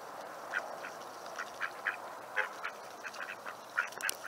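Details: Mallard drakes chirping at sunset on May 10, 2021, in a Seattle neighbourhood where wild waterfowl are fed daily: soft, short raspy chirps, about one every half second in an irregular run, over a steady background hiss.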